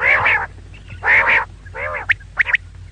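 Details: Female quail, known locally as maadi batair, calling with three broad nasal notes followed by short high chirps, over a faint low hum.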